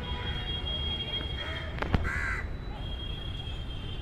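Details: Crows cawing at a feeding spot in Delhi, seemingly complaining about a person's presence; two harsh, hoarse caws near the middle over steady low traffic rumble and a thin constant whine.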